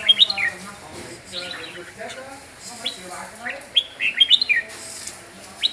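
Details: Red-whiskered bulbul of the Huế type singing a lot: bright chirped notes and quick rising-falling whistles in short bursts, with lower harmonic sounds in the background.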